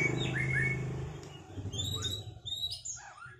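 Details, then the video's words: White-rumped shama after moulting, in a duel meant to restore its performance: short rising and falling whistled notes, then a few higher chirps, over a steady low hum. "Duel murai batu lepas mabung buat mengembalikan performa burung"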